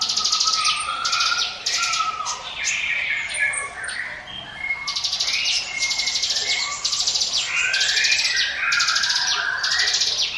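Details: Hill Prinia in 'ngiwit wit' song, used as a lure for other birds: loud buzzy bursts, each lasting about half a second, with lower whistled notes and short trills woven between them.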